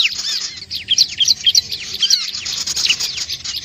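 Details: Bar-winged prinia calls for luring curious birds: quick high chirps and bright clipped notes in a fast, uneven run, with soft twittering behind them.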